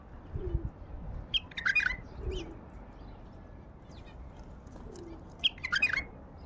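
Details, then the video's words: Song of a wild Baghdadi bulbul: two brief, rich warbled phrases of fluty, tumbling notes about four seconds apart, with gentle low dove coos repeating in the background. "تغريد بلبل وحشي بغدادي"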